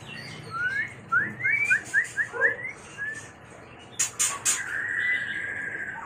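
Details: White-rumped shama mating song, used for luring and training birds: a rhythmic run of about eight upslurred whistles, then harsh broadband chacks and a sustained flat whistle.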